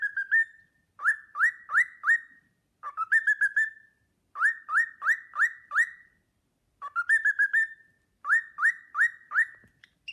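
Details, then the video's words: Pet cockatiel whistling the Sportpalast Waltz while a companion bird gazes at it admiringly; clear whistled notes rising and swooping, grouped in quick bursts of three to five separated by short pauses, indoors with no other sounds. "Nymphensittich Carlo pfeift den Sportpalast-Walzer"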